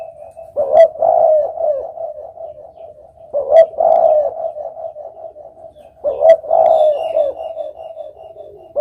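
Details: Low, hollow spotted dove coo phrases, each opening with a sharp accented note and rolling into a trailing warble, repeated about every two and a half seconds.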